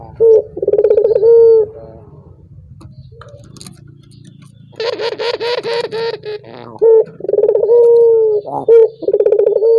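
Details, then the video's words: Barbary dove coos meant to set other doves singing. Rolling pulsed coos ending in drawn-out tones come at the start and the end, with a stretch of rapid harsher pulsed sound in between over a low hum. "Suara burung puter ini membuat puter anda ikut gacor"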